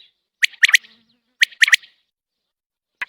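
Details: Triple-noted whistled calls from a common quail out of its cage: each phrase a single note followed by a rapid pair, two phrases in close succession and a lone note near the end.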